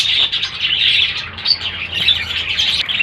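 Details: Rasping, wheezy chatter from home-bred rose-ringed parakeet chicks, pulsing unevenly in loudness over three seconds with a few sharper squeaky notes, over a faint low hum.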